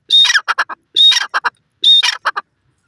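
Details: Dasi tetar, a local partridge (grey francolin), calling three times: a rasping, high-pitched burst with a sharp whistle inside, then a quick run of three short gritty notes, each phrase about 0.9 seconds apart, in a quiet background.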